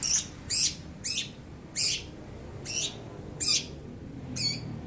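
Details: Young long-tailed shrike, bill not yet fully black, mimicking lovebird and house sparrow: seven short, bright, chattering bursts spaced roughly every 0.6–0.8 seconds, with quiet background between.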